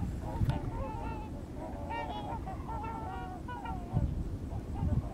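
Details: Trumpeter swans migrating through Missouri, several birds honking: mellow, horn-like notes with slight upward bends, overlapping and irregular, plus a few soft thumps against low rumbling noise.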